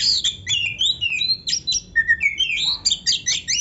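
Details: Kacer (Oriental magpie-robin) singing richly with many filler phrases ('full isian'), a training recording for beginner birds: a dense, fast stream of high chirps, sweeping whistles and rapid note runs with barely a pause.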